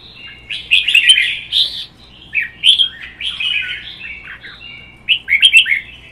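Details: Red-whiskered bulbuls in cages, a captive-bred bird and a wild-caught adult, singing in a provoked contest. Loud, bright warbled phrases with emphatic upslurred notes, delivered in bursts with short pauses between them.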